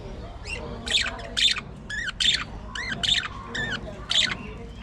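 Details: Budgerigars in an aviary colony give loud squawking chirps, harsh bursts with bright upper harmonics, about a dozen spaced unevenly over five seconds against a low room hum.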